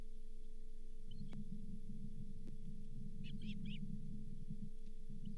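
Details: Osprey at the Charlo nest, 31 July 2023, during delivery of a lake whitefish, the day's fifth fish. A short cluster of high piping chirps sounds late on, above loud low rumbling wind noise and a constant hum.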